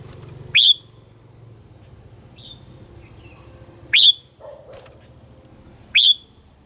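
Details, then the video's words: Red-whiskered bulbul, a lure recording for training caged birds' morning song in the wild-forest voice style: three sharp, high chirps at irregular gaps over a steady low hum, with a faint knock between them. "Luyện giọng cho chào mào hót sáng, chào mào hót giọng già rừng hay tuyệt"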